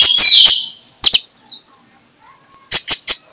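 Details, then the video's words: Magpie-robin in the morning, sung in the clear 'ngeplong' style and used as a lure to make sluggish magpie-robins sing: a burst of sharp clicky notes, a pause, then sweet high whistles, gliding slurs and a final trio of clicks. "MENJUR untuk PIKAT Konin Lelet jadi NGOBRA, Menggunakan Suara KONIN Ngeplong"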